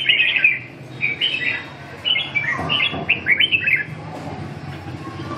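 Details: Red-whiskered bulbul in training, singing a quick run of short, liquid, chirpy phrases for about four seconds, each phrase a slightly different warble, then falling silent against a soft low background hum.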